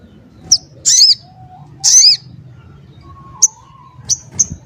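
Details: Crimson sunbird, kept by songbird hobbyists for its sharp varied voice: scattered high thin chips and two short rasping notes, with a faint whistle between and a low background hum.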